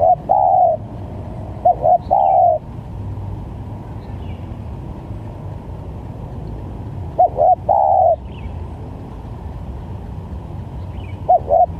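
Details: Lure recording of a spotted dove for trapping: several low coo phrases, short paired notes leading into a longer drawn coo, separated by long pauses filled with steady hum.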